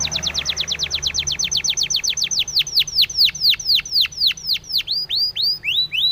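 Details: Spanish timbrado canary training song: rapid falling whistles that gradually slow and broaden into deeper swooping notes, ending in a few rising slurs.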